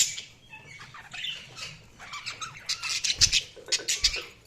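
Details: Budgerigars chirping indoors: a run of short, high, scratchy chirps and squeaky notes, quiet at first and growing busier and louder toward the end, with brief clicks among them.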